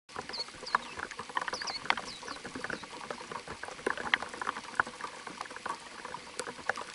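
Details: Swinhoe's white-eye at its nest, a parent tending nestlings, giving thin, high chirps in quick bursts over the first few seconds, with steady crackling and rustling throughout.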